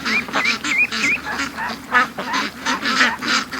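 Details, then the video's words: Domestic ducks rushing out of their pen to a creek and lake in the morning; loud, clear rhythmic quacking, about three calls a second, some with wavering nasal tones, from several birds close by. "Ducks At The Creek Morning Rush"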